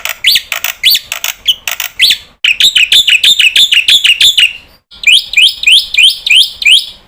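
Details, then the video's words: Black-winged starling (jalak putih), a lively bird used as a lure to set other starlings calling: loud, harsh, rising chirps repeated about three times a second in bursts separated by brief silent breaks. "Jalak putih gacor Sekali teriak semua jenis burung jalak ikut bunyi"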